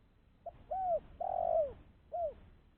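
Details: A spotted dove kept as a decoy to attract wild doves, calling one clear phrase: a brief opening note, a curved coo, a long descending coo and a closing shorter coo, with faint low background hum.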